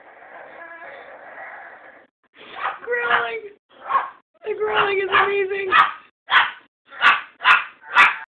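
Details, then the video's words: Pet bird Mya mimicking a dog, giving a low growl followed by a run of short, sharp barks about once every half second, with a person's voice heard early on. "the barking bird"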